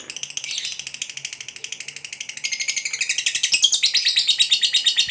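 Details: A fighter lovebird's long ngekek trill, sung to provoke rival lovebirds. A softer rapid chatter swells into louder, harsher pulsed notes that rise in pitch near the end.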